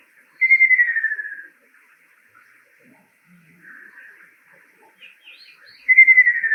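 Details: Ruddy Kingfisher male singing, a summer visitor in Japan: two clear descending rolled trills, fading away at the tail, one near the start and another near the end, separated by quieter distant bird notes.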